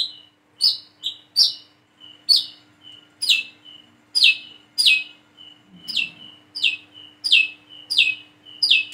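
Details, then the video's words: Plain-throated sunbird, a single bird learning its song: sharp, high, down-slurred chirps alternate with soft thin notes, about one and a half per second, over a low constant hum. "PANCINGAN SUARA BURUNG WICEH KOLIBRI KELAPA BIAR BISA WICEH WICEH"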